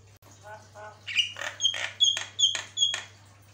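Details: Javan myna song: soft low harmonic notes open, then loud rhythmic bursts of harsh chatter, each capped by a thin high whistle, repeated a few times per second, over a steady hum.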